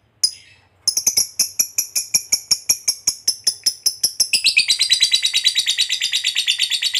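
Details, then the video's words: Fighter lovebird giving a long ngekek trill used to provoke other fighter lovebirds: after one sharp opening note, a fast run of harsh chattering notes that speeds up into a dense, continuous buzzy rattle. "Pancingan Lovebird Ngekek Panjang SUPER AMPUH, Ngetik Ngekek Bikin LB Fighter Terpancing EMOSI"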